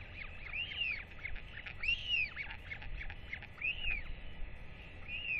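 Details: Excited northern royal albatross chick being fed by both parents, 8.10.24; loud, clear arched whistles come in quick succession, mixed with short rasping bursts and squawk-like notes, over a faint low hum.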